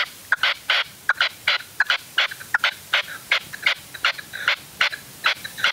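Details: Hunting decoy red-legged partridge, a bird prone to aggression toward wild partridges, on an afternoon stand in upland Huelva, Spain, 25 January 2023: loud harsh chattering, about 78 bursts a minute in an uneven, insistent rhythm.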